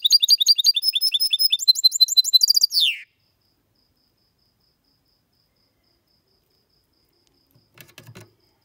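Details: Goldfinch x canary hybrid (mule) giving a clean song, used to stimulate males to sing and for young birds to memorise: about three seconds of rapid, high twittering notes ending in a falling slurred note, then silence and faint knocks.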